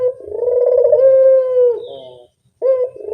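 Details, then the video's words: Barbary dove calling as a lure: one sustained low purring coo, fairly level in pitch, dropping into a fainter buzzy ending, silence, then the next coo beginning. "suara pancingan burung puter yang anggun"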